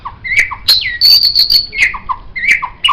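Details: White-rumped shama singing as a master for songbirds: high ringing trills interleaved with downslurred whistles and low mellow notes, repeated in patterned phrases.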